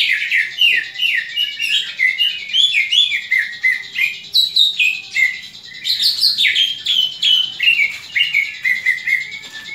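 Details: Greater green leafbird pouring out its fighting call, to sharpen other leafbirds' fighting spirit: nearly ten seconds of vigorous, varied whistles, chirps and slurred notes in rapid, steady bursts.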